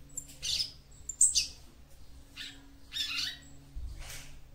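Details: Female capped seedeater (papa-capim) singing to stimulate the male: short buzzy high notes and sharp chips in bursts about a second apart, with faint low hum.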